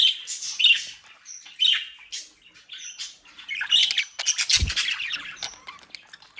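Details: Captive brood of budgerigars in the Den Haag region, South Holland, Netherlands: harsh squawks and scratchy chirps in uneven bursts, with denser, busier chatter and one low thump near the end.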